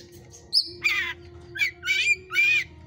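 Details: Hot-type Oriental magpie-robin in a breeder's cage: one short high whistle, then four harsh, scratchy rasping bursts about half a second apart, over a constant low hum.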